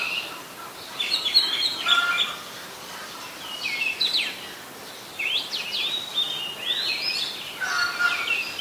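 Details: Oriental magpie-robin song from Ubon Ratchathani, Thailand, 26 December 2020: bursts of bright whistles and scratchy chirps in separate phrases, with quiet gaps of a second or more between them.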